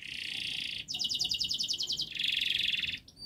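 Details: Canary in dense, rapid song used to get young canaries singing sooner: a steady buzzy trill, then a quick chopped rattle, then another loud buzzing roll.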